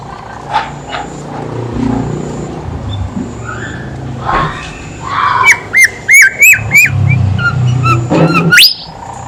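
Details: Horsfield's babbler singing as a lure for other birds: after a noisy stretch, a run of loud, clear whistled notes comes about three per second, ending in a rising whistle, with vehicle rumble underneath.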